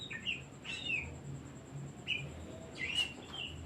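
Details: Oriental magpie-robin singing as a decoy for other birds: separate bright whistled phrases, each a quick twisting slur, coming roughly every second or two against low hum.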